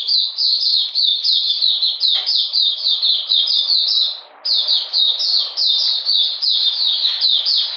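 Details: Cold rainy weather, 13 June 2020: an Oriental magpie-robin pours out rhythmic repeated down-slurred whistles, about three per second, broken by a single brief gap halfway through.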